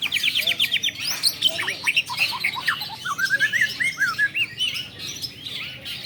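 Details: Long-tailed shrike singing at a practice singing contest meant to train champion birds: a fast run of about eight sharp repeated notes, then loud varied whistled slurs and chattering phrases, with other birds calling faintly behind.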